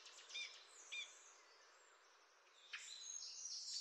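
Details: Ruby-crowned Kinglet in California giving two dry, high double-noted calls about half a second apart, then a busier run of thin high chips over a steady outdoor hiss.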